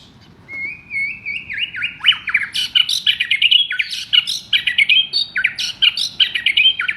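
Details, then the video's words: Champion white-rumped shama, a caged contest bird past its first molt, pouring out a loud, varied song: a rising whistled opening, then fast tumbling phrases of sweeping notes, trills and sharp chips, nearly continuous for several seconds. "Burung Murai Batu Juara‼️Volume Kencang Dan Pedas‼️"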